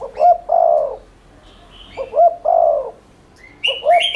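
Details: Spotted dove giving rapid continuous 'thúc' cooing used as a lure to stimulate other doves to coo: two low phrases, each a short double note then a long, mellow, slightly falling coo, with faint high chirps of small birds between.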